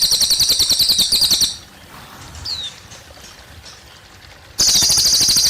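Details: Cililin song: a high rapid pulsed trill that breaks off after a second and a half, a single brief descending whistle in the pause, then the trill bursts back in, with running water throughout.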